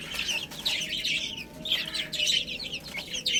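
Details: Baby chickens eating spinach, with a busy chorus of high, short, piping chirps that overlap continuously.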